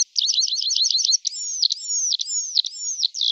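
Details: Tree pipit song: a quick run of clipped repeated notes, then a series of drawn-out, high, downward-sliding whistled 'seea' notes repeated about twice per second, clean with nothing else audible.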